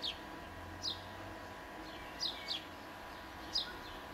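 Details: Italian sparrow with brief, thin, descending chirps, one or two at a time, separated by pauses of about a second, over low steady background noise.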